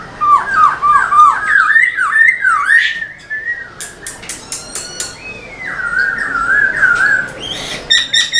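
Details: Black-throated laughingthrush kept caged, singing to stir other birds: quick dipping whistles, sharp clicking taps, then a long wavering warbled whistle ending with rapid chatter.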